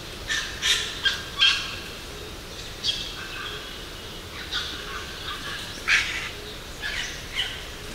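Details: Wattlebird calling in the Australian bush: harsh, raspy bursts of noisy notes spread irregularly across eight seconds, some doubled, over a steady background hiss.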